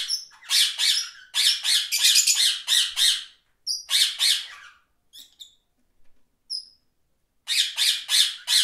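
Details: Rapid strings of rasping parakeet squawks, several a second, interrupted by a brief lull with faint high whistles before the noisy chatter resumes.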